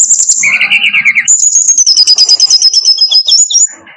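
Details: Brown-chested jungle flycatcher song as a tutor recording for training birds: high thin whistle, a warbled lower trill, then a long sustained high whistle over rapid ticking notes, loud and compressed.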